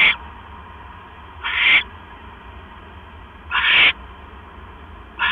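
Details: Owl bringing a mouse to its nest on the night of 12 October 2015, 9:40 PM. Rasping hissy screeches repeat roughly every two seconds, four bursts in all, over a faint hum.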